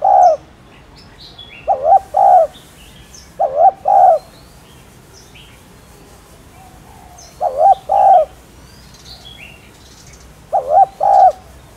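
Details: Spotted dove cooing at a relaxed pace over about twelve seconds, giving five or six phrases of a short dipping note and a held note. Scattered high twitters of other birds fill the gaps.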